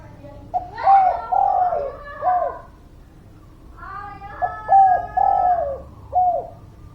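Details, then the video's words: Spotted dove song played as a lure for reluctant birds: two phrases of soft, hollow coos, each a short note, a longer slurred coo drawing downward, and a clipped final coo, separated by a quiet pause. "Suara Pancingan Derkuku Gacor, Burung Malas Bunyi"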